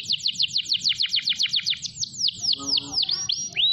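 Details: Canary singing prolifically over a long stretch, used as a lure to get other canaries singing: a fast run of downslurred notes about four per second, then slower swooping upslurred whistles.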